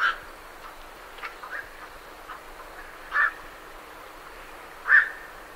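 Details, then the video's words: Three harsh, barking croaks from night herons departing their roost, recorded fairly close, with the last two louder and about two seconds apart; faint great reed warbler chatter lies underneath. "Night Heron Calls / Night Heron. Calls MCU From Birds Leaving Roost"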